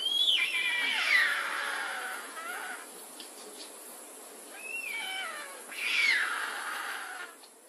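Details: Mewing voices of white stork young at a nest: two loud bursts of descending, whining, cat-like cries separated by a quieter stretch, over faint constant hiss.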